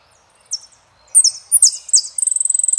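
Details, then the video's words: Saffron finch singing El peregrino: one isolated high note, then loud overlapping slurred phrases ending in a rapid even series of clipped piping notes on a single pitch. "JILGUERO ARGENTINO - El peregrino"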